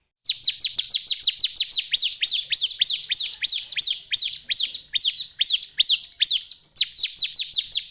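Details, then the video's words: Bar-winged prinia (Perenjak Jawa) pouring out a fast, almost continuous chattering trill of sharp, high chirps, some phrases faster, others slowing into distinct notes, with only one brief break. "Suara Burung Perenjak Jawa / CIBLEK"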